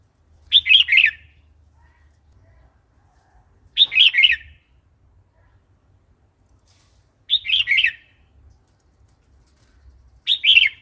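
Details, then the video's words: Red-whiskered bulbul giving wild-style song for training young and newly caught birds: four short, chortling whistled phrases repeated roughly every three seconds, with faint low background rumble between them. "เสียงนกกรงหัวจุก เพลงป่า"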